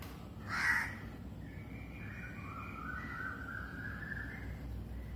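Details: Crow calling in a natural early-morning recording at 06:03 am, made on a phone: one short harsh caw, then long faint whistled notes from other birds over a low steady wind rumble.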